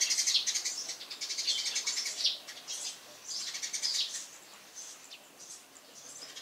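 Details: Eurasian tree sparrow chirping cheerfully on a house roof in the morning, loud and lively: rapid bursts of high, bright chirps and short twittering notes, irregular and close together, with fainter chirps trailing off toward the end.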